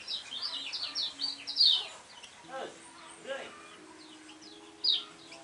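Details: Lemon-bellied white-eye, a contest songbird, giving quick high twittering phrases of chirps and slurred notes for about two seconds, then a short bright burst near the end, with low talking and a steady hum in between.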